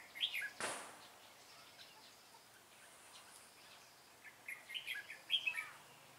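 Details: Red-whiskered bulbul at a trapping session on 25 April 2017: a brief note and a sharp thump early on, a quiet gap, then a loud fluttering warbled phrase near the end.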